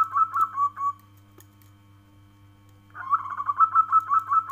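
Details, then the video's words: A local zebra dove finishes a trailing coo phrase, pauses for two seconds, then launches into a fresh run of quick, gently warbling notes, over a continuous faint hum. "Suara panggilan perkutut lokal alam kristal"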